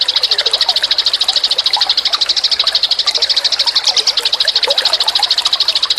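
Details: Eurasian tree sparrow song as a tutor recording for cage birds: a dense, continuous stream of high, bright chirps, about three per second, steady throughout with a faint buzzy undertone.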